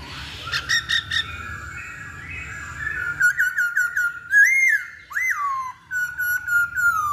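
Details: Lure recording of a Masked laughingthrush singing, meant to provoke a bird to answer: a few sharp notes over a steady tone, then clear rising and falling whistles with strong ringing overtones, loud and irregular.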